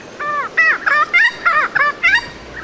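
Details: Rare Regent honeyeater (Anthochaera phrygia) of southeastern Australia that has lost its native song, giving about seven harsh, nasal, arched honking notes in under three seconds, copying a noisy friarbird instead of its own melodious mate-attracting song.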